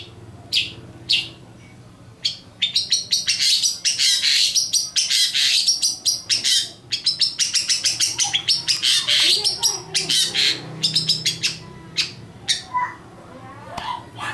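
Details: Long-tailed shrike giving a strange call: loud, sharp, harsh chirps and rasping notes in fast irregular bursts, densest in the middle, then spacing out toward the end.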